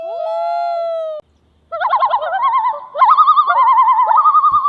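A loon gives a long, steady, mournful note, then after a brief pause a run of quavering, yodel-like notes that wobble rapidly in pitch.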